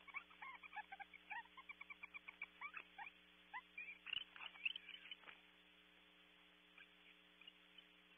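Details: Barn owl pair returning to the nest box at night (female 03:35, male 04:44), with first mating seen: fast, squeaky twittering chatter of short notes for about five seconds, then silence, over a steady low electrical hum.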